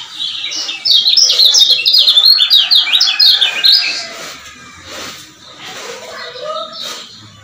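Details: Lombok lemon-bellied white-eye male singing to provoke other males. A shrill, fast, jerky chattering phrase of up-and-down notes fills the first three seconds, then fades to softer scattered chirps and distant twitters.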